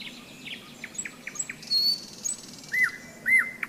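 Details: A nightingale in May, heard at a rest stop on a hike along the Seversky Donets: a string of short clicking notes, then a high thin whistle and two loud, looping, slurred phrases.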